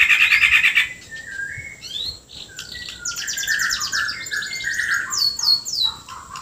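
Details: White-rumped shama from Borneo in full isian kasaran song, opening with a fast rattling trill, then sliding whistles and a run of varied harsh and chirping phrases, some rising sharply, with hardly a pause.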